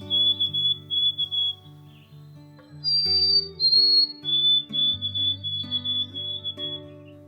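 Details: A White-throated Sparrow sings in a wet alder area of a homestead property at first light during spring migration. Clear, pure whistles: long steady notes, one step higher, then a run of quick repeated whistles, with soft background music.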